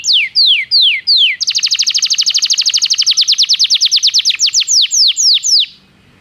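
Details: Song of a Belgian canary for training: three falling whistled slurs, then a long even trill of quick repeated notes, about three per second at first, easing into slower downward sweeps before silence.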